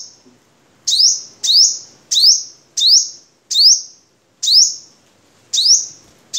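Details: Crimson sunbird (Vietnam form), recorded as a tutor song for training birds, repeating a high, sharp, buzzy trill phrase about every three-quarters of a second; nothing else heard.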